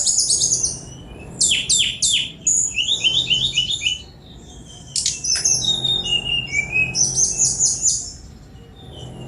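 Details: Sunda robin song with quick repeated downslurred whistles, dense buzzy chips and high twittering runs, continuous except for a short pause midway.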